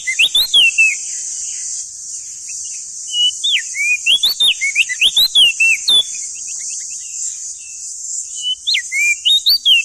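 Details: Male crested white-eye, endemic to East Nusa Tenggara, singing loudly in a lively training song for young birds. Clear whistled notes slur up and down in quick runs, pausing between bursts, over a steady high hiss.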